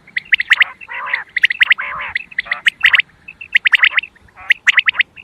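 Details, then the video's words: Quail sound meant for luring quail during a hunt: quick bright chirps in tight bunches alternating with lower, rougher squawking notes, all closely packed over a few seconds. "Batair ke shukar k Liye | Behtareen Awaz | sound Of | Quail Bird's sound"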